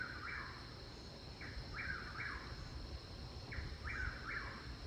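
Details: A Chuck-will's-widow repeats its mid-pitched, three-part whistled chuck-will's-WID-ow phrase about every two seconds over steady insect drone and low rumble, heard in a garden at evening or morning.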